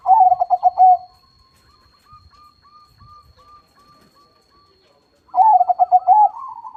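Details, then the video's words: Zebra dove (perkutut) crossing-type song: a rapid stuttering burst of low coos around 1 second long, a pause with faint soft tones, then another stuttered coo phrase ending in a drawn-out note. "PERKUTUT CROSSING GACOR SUARA BESAR."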